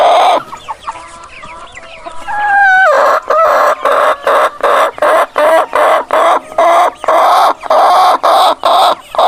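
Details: Chickens: a short, strained crow-like note near the start, then loud, harsh clucks repeated two or three times a second, with other fowl calling faintly.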